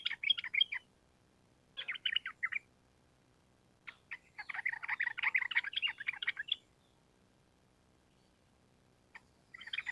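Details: Bursts of rapid chattering whistles from a sooty-headed bulbul singing trucukan gacor, with a long ropel run of nearly three seconds in the middle and shorter bursts before and after, separated by silences.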